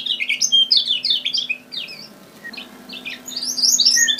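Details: Kecial kuning (Lemon-bellied white-eye) from Lombok, its song played as a bird-trapping lure: rapid, high, twittering phrases of tumbling chirps, then a quieter pause before another burst, over a steady low electrical hum.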